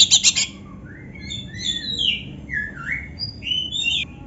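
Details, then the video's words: Oriental magpie-robin song filled with canary imitations: a short, loud, high rattle, then a series of clear, varied, sliding whistles, some rising and some falling, spaced across several seconds. "suara Kacer gacor isian komplit | Masteran Kacer ISIAN Burung Kenari"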